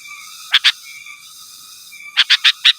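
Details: Sooty-headed bulbul calling rivals, with no other species mixed in; a pair of sharp bright notes, a pause, then four quick similar notes in a row, over a steady high hum.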